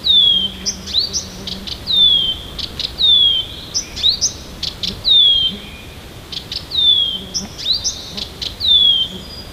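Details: Morning near Tomsk, Siberia: an unidentified small bird, perhaps a flycatcher or nightingale, sings varied high, thin whistled phrases that slide downward, repeated every couple of seconds, with a faint low hum beneath.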